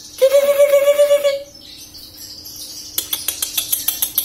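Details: Caged young greater green leafbird from Samarinda, just past its juvenile plumage before moult, holds a low warbling whistled note, followed after a pause by a series of sharp repeated clicking chips.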